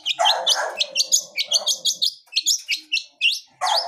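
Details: Long-tailed shrike from the wild, blangkon type, in full-fill song: harsh scratchy bursts mixed with quick, high chirping phrases, a short pause, then a sharp note and more harsh chatter.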